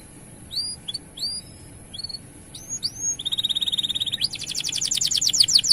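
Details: Male canary singing a long 'gacor' song to stimulate males to sing: a few spaced upswept chirps, a steady buzzy trill, then fast loud repeated notes growing stronger.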